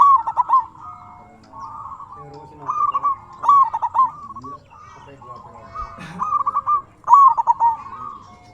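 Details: Local zebra doves in song meant to provoke answers: rapid stuttering coo phrases about every second or two, interleaved with softer purring notes from other doves and a brief low thump.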